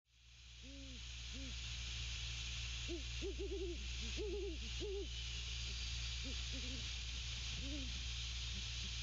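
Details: Great horned owls, a male and female pair at their nest on 6 December 2022, hooting to one another: low arched hoots, single and in short runs, overlapping in a back-and-forth exchange, over steady background hum and hiss.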